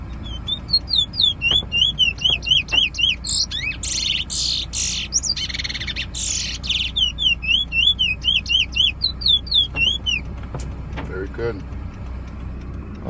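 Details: At a Preysal bird competition, a singing bullfinch delivers quick repeated slurred whistles, breaks into loud harsh buzzy bursts mid-song, then resumes steady looping whistled phrases; a few sharp clicks and distant voices follow.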